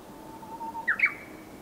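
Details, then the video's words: Japanese bush warbler song: a long, steady, low whistle held for most of a second, then a sharp, higher flourish that rises and falls, over a soft background hiss. "ウグイス さえずり"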